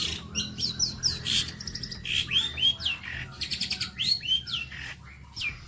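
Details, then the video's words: Long-tailed shrike performing 'bolo panjang' master song used to tutor other birds: clear whistled downslurred notes mixed with buzzy rattling bursts and scratchy chatter, phrases repeated in quick succession over a low background hum. "MATERI ISTIMEWA BOLO PANJANG"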